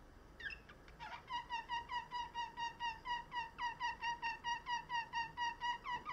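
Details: Song canary, a breed kept for its singing ability, delivering a low, hollow-sounding tour of evenly repeated bell-like notes, about two per second, after a couple of sliding introductory notes; quiet background.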